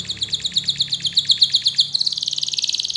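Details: Canary song used as a master recording to prompt young canaries to sing: a fast regular trill of high notes, about seven per second, switching to an even quicker, brighter rolling trill, with a faint low hum behind.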